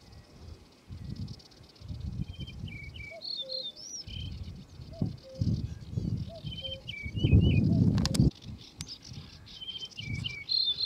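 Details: Repeated ringing whistled phrases from a singing male yellow-breasted bunting, each a couple of seconds long. Soft low calls from another bird sound between them, and a loud rustling burst near the end.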